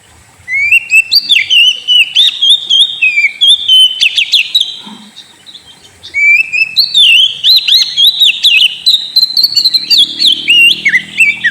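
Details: Oriental magpie-robin (kacer) pouring out a lure song for a sulking bird, long rambling phrases of whistles, fast chips and scratchy notes, broken by one short pause midway.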